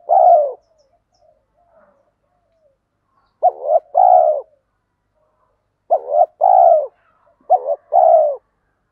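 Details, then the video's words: Male and female spotted doves calling to stimulate training birds; a lone trailing coo, a pause, then three paired phrases of a clipped note and a longer mellow coo, closely spaced near the end. "Chim cu đất thúc gù"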